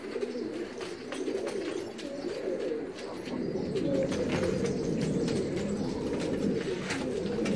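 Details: A flock of Filo pigeons produces a dense chorus of deep, murmuring coos, many voices overlapping into a continuous rolling burble that grows louder partway through.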